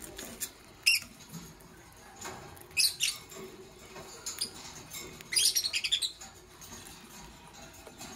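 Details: Parblue violet Fischer's lovebird with a pastel green opaline lovebird in the morning: sharp, high chirps in scattered bursts, ending in a quick run of rapid chirps, over a low steady background hum.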